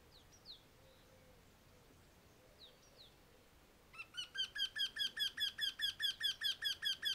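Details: Wryneck (Eurasian) calling from a walnut tree, Bulgaria, 19 April 2021; a few faint, thin, downslurred chirps from another bird first, then a steady run of loud nasal, ringing notes repeated about two and a half per second.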